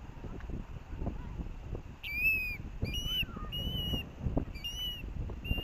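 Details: Osprey family at the Hellgate nest, Missoula, Montana, 18 August 2024, chicks contesting fish delivered by the parents. Sharp whistled chirps, some slurred downward, come in quick clusters over a constant low rumble of wind and distant traffic.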